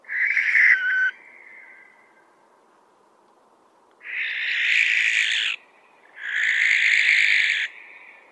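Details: Barn owl giving harsh, hissing screeches: a short burst, then two longer rasping calls of about one and a half seconds each, separated by brief pauses.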